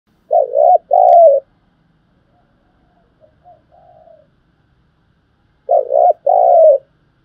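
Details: Spotted dove giving urging and calling coos, used to train decoy birds for trapping; a loud two-part coo opens and another closes, with soft murmured notes between in an otherwise quiet recording.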